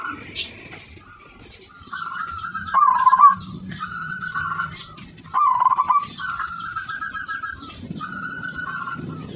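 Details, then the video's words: Silver-coloured zebra dove in full song: soft, rolling, trilled coos in phrases of about a second, repeated in a steady sequence, with low background murmur. "perkutut silver gacor"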